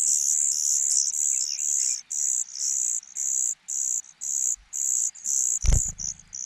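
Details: Young cuckoo begging in a host nest, hungry because the foster parents feed only their own chicks. Loud high hissing bursts come almost continuously at about one per second, with a knock near the end.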